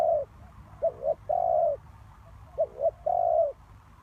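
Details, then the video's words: Spotted dove used as a lure bird for trapping. It gives low, mellow cooing phrases: a short level coo, a quick pair of arched notes, then a long steady coo. The phrase repeats once over a faint low hum. "The Cu Gáy Mồi Đất"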